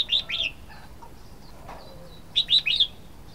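Red-whiskered bulbul giving bright, chirpy notes: a pair at the start and a run of three or four after a pause, with faint background chatter.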